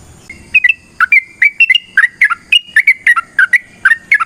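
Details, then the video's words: Sooty-headed bulbul singing a long rolling fighting song: clear whistled notes and bubbly two-part phrases repeated in a steady stream about every third of a second, with light background noise. "TRUCUKAN GACOR TARUNG ROPEL PANJANG Pancingan trucukan Agar Bunyi Jadikan Burung Trucuk Gacor Nyaut"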